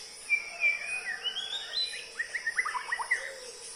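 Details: White-rumped shama singing: a long whistled note rising in steps, then a quick burst of sharp chipping notes, with steady high insect noise throughout.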